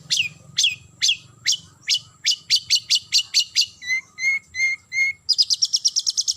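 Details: Long-tailed shrike calling to a rival. It gives high, sharply falling whistled notes about two per second, then a run of clipped, lower piping notes, and ends in a fast, high chattering trill.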